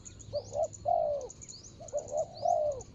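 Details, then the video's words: Spotted dove decoy on the ground, calling to attract a rival: two full cooing phrases of short double notes ending in a sustained downward coo, soft and mellow, accompanied by faint high-pitched twittering of other birds. "ต่อนกเขาใหญ่.. ต่อดิน.."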